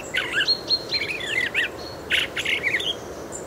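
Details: A Fieldfare's quiet muttering subsong in a Moscow park in early spring: short bursts of squeaky, scratchy chattering notes, twisting up and down, in quick rambling phrases over a soft background hiss.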